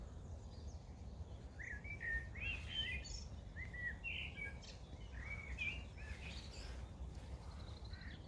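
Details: Wild birds singing on an early spring walk from Bromsgrove to Tardebigge Reservoir, 3/4/2020: a busy mix of short chirps, trills and whistled phrases from several birds, over a low rumble of wind and footsteps.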